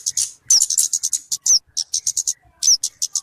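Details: Bird known as talokan or kemade in a lure recording: uneven clusters of shrill chips with repeated bright downslurred whistles, short pauses between groups.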